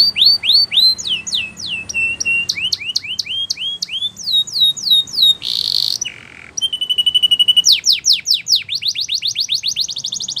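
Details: Spanish Timbrado canary song used for training, mixing upswept whistles and quick repeated strokes, a short harsh noisy burst midway, then steady rolls and fast descending trills.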